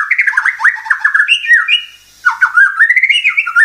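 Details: Oriental magpie-robin giving a rapid jumble of lower, harsh chattering and warbled notes, continuous for over a second, a short pause, then the tumbling chatter resumes.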